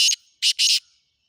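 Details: Harsh, grating call of a black francolin, three buzzy high bursts, the last one longest, ending abruptly into silence.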